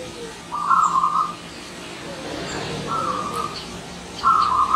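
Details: Wild zebra dove as a visiting guest, uttering three distinct trilled, staccato coo phrases about two seconds apart, the first and last loudest, against quiet ambient noise.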